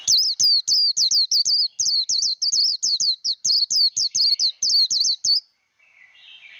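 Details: Japanese white-eye singing 'líu đấu' contest song for training a young bird's voice: a long, rapid chain of piercing high slurred whistles, about three per second, ending in a soft lower buzz.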